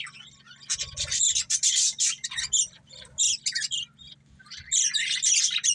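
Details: Two budgerigars, a breeding pair, chirping in high scratchy bursts of warbling chatter separated by short quiet spells, a low electrical-sounding hum steady throughout.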